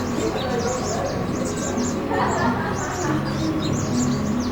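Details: Colony of Van Hasselt's sunbirds (Leptocoma brasiliana) at Pulau Perhentian, Terengganu, Malaysia, June 2017: dense, overlapping short high chirps and sharp twitters throughout, over a steady low background rumble with faint lower tonal sounds.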